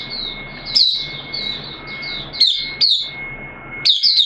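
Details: Oriental white-eye kept caged, called Mata Puteh, 13 September 2022 during its second deworming day: drawn-out thin high notes broken by sudden sharp twittered bursts roughly every second or two, with a steady faint tone behind.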